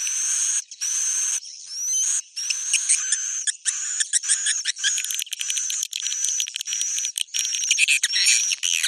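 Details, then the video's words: Bhayangkari-style swiftlet roosting sound, dense and raspy, with overlapping buzzy bursts, thin upward whistles and rapid ticking chatter running almost without pause. "Suara Inap Walet Bhayangkari"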